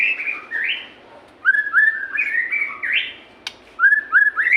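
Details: White-rumped shama song meant to prompt captive shamas into singing: loud slurred whistles and quick repeated rising notes in bursts, with a brief gap and a single sharp click midway.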